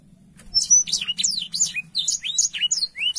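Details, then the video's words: Black-throated canary singing clearly for tutoring young canaries. Thin high whistles lead into a run of looping, downslurred chirps and warbles, steady and fast, over a faint background hum. "BLACKTHROAT GACOR SUARA JERNIH UNTUK MASTERAN KENARI BAHAN PAUD CEPAT BUNYI CUIT CUIT"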